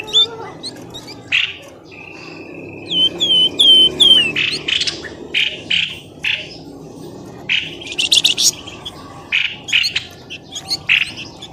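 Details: Bird calls played to coax birds out of bushes: a long, steady whistled tone with falling high notes, followed by rapid scratchy chirp bursts and sharp trills at irregular intervals.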